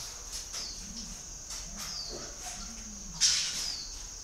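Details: Low, hollow coos from a spotted dove, three phrases in quick succession, the last longer and wavering, beneath a constant shrill insect hum and a brief rustling burst near the end.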